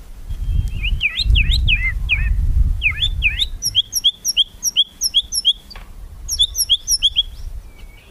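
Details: White-rumped shama singing in kretekan style to spur rivals into singing: looping whistled slurs over a low rumble, followed by a long even run of short upslurred chirps, about three per second.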